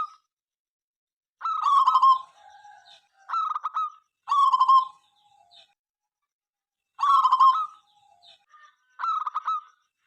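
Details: Local zebra dove singing busily, said to sing morning, noon and night and set rival birds calling; a drawn-out cooing note, then a short rolling burst, phrases repeated about every three seconds.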